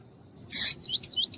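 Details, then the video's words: Double-collared seedeater, male heard alongside a calling female in a recording for warming up tournament birds: one harsh broadband burst followed by two high, slurred whistled notes in quick succession. "ESQUENTAR COLEIRO TUÍ-TUÍ COM COLEIRO TUÍ-TUÍ E FÊMEA CHAMANDO"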